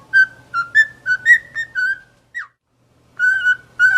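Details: Cockatiel whistling a tune: a series of clear, steady whistled notes near the same pitch with slight rises, about nine phrases in quick succession, a short falling note, a pause, then more whistles; faint low hum beneath.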